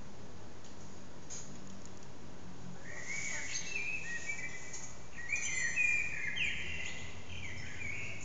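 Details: A blackbird sings in an echoing courtyard behind a house, recorded on an old HTC Desire phone; after a few seconds of hiss, one long mellow warbling phrase rises into high, squeaky twittering notes.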